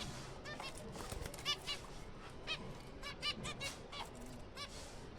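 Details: Zebra finches in a breeding colony in April give short, nasal, trumpet-like beeps, several birds overlapping in quick irregular bursts over a steady background hiss.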